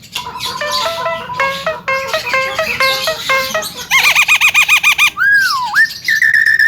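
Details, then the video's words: Melodious full-fill song of a young Javan myna: stepped chattering notes, then a fast pulsing trill, a swooping downward whistle and a steady high whistled note near the end. "BURUNG JALAK KEBO MUDA BERSUARA MERDU FULL ISIAN"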